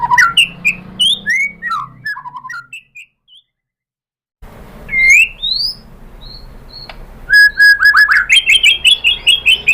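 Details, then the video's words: White-rumped shama (murai batu) singing a varied song meant to provoke other shamas into singing: rising whistles and slurred notes, a brief silent gap, then rapid repeated whistled phrases near the end. "pancingan AMPUH‼️ MURAI BATU ikutan NYAUT GACOR BONGKAR MATERI ¦ PANCINGAN MURAI ¦ SHAMA BIRD"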